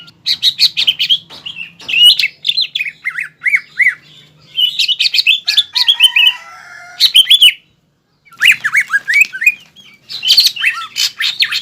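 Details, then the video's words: Green leafbird giving a full fighting-style song rich in mimicked phrases, such as sparrow and prinia notes, meant to rouse an opposing leafbird. Loud bursts of sharp, downslurred, high chirps in quick phrases, separated by short pauses and one brief silence. "CUCAK IJO GACOR FULL BONGKAR ISIAN AGAR CUCAK IJO LAWAN EMOSI DAN MAU JAMTROK"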